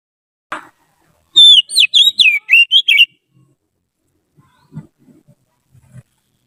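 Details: Trained white-rumped shama kept as a song tutor, delivering a burst of loud clear whistles, rising and falling slurred notes in quick succession for about two seconds, then faint low clicks and soft rustling.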